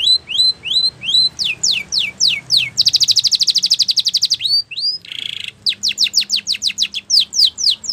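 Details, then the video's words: Spanish Timbrado canary training song: repeated hooked rising whistles, falling notes, a long bright metallic trill, a brief buzzy phrase, then rapid descending strokes in quick rhythm. "The Best Spanish Timbrado Song For Training Your canary !! Make Your Canary Singing Again"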